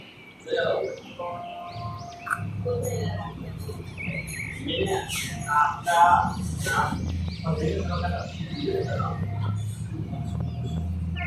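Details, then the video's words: Ringneck parakeet chattering at its mirror reflection, mixing warbled harmonic notes, squeaks and short whistles over a steady low electrical hum, with occasional clicks. "Ringneck Parrot Talking to Mirror"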